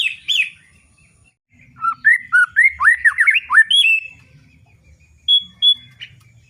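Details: Loud ngeplong song from a white-rumped shama: a short high note, a pause, then a rich burst of swooping whistles and slurred phrases, ending with two isolated thin high notes and faint low background noise.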